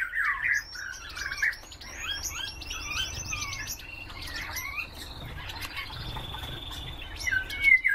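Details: Common redpoll calling: rapid series of high, clipped chirps and short trills, with a sustained buzzy note in the middle and scattered upslurred whistles, all against near silence.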